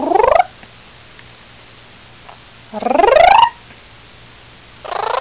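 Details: Pet blue-crowned conure, a rescued male that plucks his feathers, giving a barking-dog imitation: three loud rising, strongly harmonic bark-like whines, each under a second long, separated by pauses of about two seconds.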